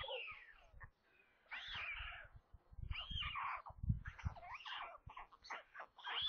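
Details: White stork chicks at a nest near Kaluga, Russia, at feeding time, 13:57 on 27 May, give hoarse, cat-like mewing squeals in quick bursts over muffled thumps and rustling. The fifth, youngest chick, hatched 23 May, struggles to get food.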